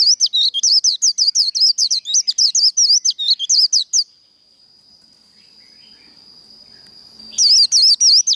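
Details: Japanese white-eye pouring out fighting-style líu song for training: four seconds of dense, rapid, wobbling high whistles, then a pause filled by a continuous thin high tone before the rapid notes resume.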